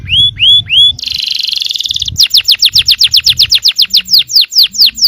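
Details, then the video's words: Yellow canary song for provoking other canaries to sing: three rising whistles, a tight buzzy roll, then a long series of sharp downward-sweeping notes about four per second. "suara kenari kuning bon yang sangat efektif memancing emosi.. belum ada 10 detik pasti nyaut gacor!!"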